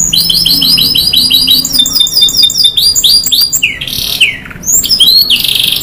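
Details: Canary in long song: opens with a fast run of repeated rolling whistled notes, then shifts to sliding whistles and rasping buzzes, sustained and high-pitched.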